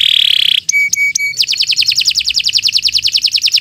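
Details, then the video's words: Canary singing a steady high whistle, then three spaced clicking notes, then a fast run of repeated downward-sweeping notes, a continuous song meant for tutoring other birds. "Kicau Burung Kenari 144 II LUAR BIASA GACOR PANJANG Cocok untuk Masteran"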